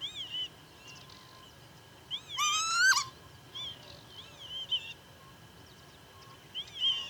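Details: Northern lapwing at Pyarkovichy, Belarus, in July 2025, giving one loud, drawn-out, rising and wavering cry of just under a second, with softer short calls from distant birds before and after.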